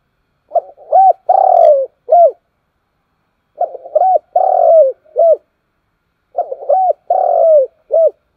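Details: Morning calls of a spotted dove: three identical cooing phrases about three seconds apart, each short coos building to a long drawn-out falling coo and a closing short coo.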